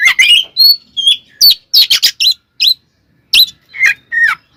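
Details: Oriental magpie-robin delivering provoking fight song: harsh chattering notes mixed with clear whistles and downslurred calls, irregular bursts with short pauses.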